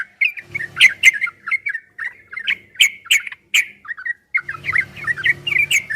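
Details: Trucukan, the yellow-vented bulbul, delivering a fast 'ropel' song meant for training caged birds: clusters of liquid, chattering notes, some sharp and squeaky, broken by brief pauses, with a low murmur of background noise.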